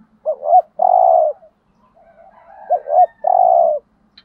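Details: Caged spotted dove from Dak Lak, Vietnam, used as a lure to draw wild birds. Two cooing phrases, each a short two-part hoot followed by a long buzzy low note, with faint softer murmurs between.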